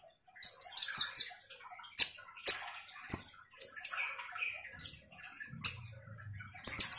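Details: Kolibri ninja (Van Hasselt's sunbird) singing eagerly as a lure to make sluggish birds sing. Clusters of high sharp chips alternate with buzzy lower twitters, separated by short gaps, a faint hum near the end.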